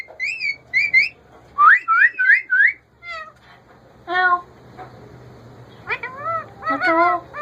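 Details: Male ringneck parakeet kept as a pet runs through quick chirpy upslurs, then stacked nasal, word-like syllables spaced irregularly, with a low hum underneath.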